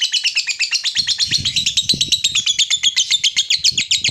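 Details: Rapid ngekek chatter from a lovebird, meant to make other lovebirds reply, a dense run of shrill repeated notes, with soft low thumps and knocks underneath from about one second on.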